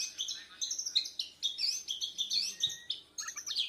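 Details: Young Bornean white-rumped shama learning to sing, chattering high chirps in quick succession with a brief pause before a final burst of scratchy notes.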